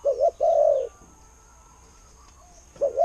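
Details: Spotted dove decoy bird giving a "ku-ang" coo: one short note then a drawn-out falling coo, followed by silence and the start of another phrase.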